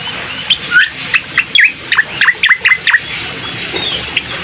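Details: Bar-winged prinia song, played to coax a reluctant bird into singing: a cluster of quick high chirps and twisting slurred notes in mid-clip, over a steady hiss of background noise.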